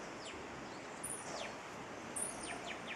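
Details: White-capped tanagers (Sericossypha albocristata) in the morning near a house at Rio Blanco, Central Andes, Colombia, in October, after roosting in a big oak. They give two shrill, very high squealing notes about a second apart, with faint descending chips over outdoor hiss.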